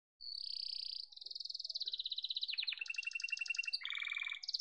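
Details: Pet yellow canary giving a sustained high whistled note followed by rolling trills that step downward, then buzzy lower rattles and short chirps, faint but clear, with no other sounds.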